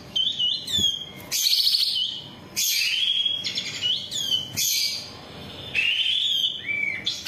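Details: Long-tailed shrike song for teaching captive birds: sweeping whistles rising and falling, rasping buzzy notes and quick chattered runs, changing phrase every second or so, ending with a short clear upward whistle.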